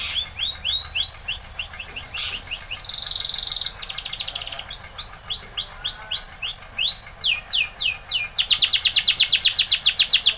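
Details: Spanish Timbrado canary in powerful training song: repeated arched whistles broken by a bright metallic rattle, more looping whistled phrases, then fast descending sweeps and a dense high trill to close.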